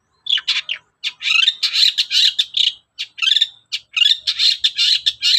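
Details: Long-tailed shrike in the morning, singing a lure song to get other shrikes singing: a fast, scratchy run of chattering and mimicked notes in short clustered bursts with brief pauses.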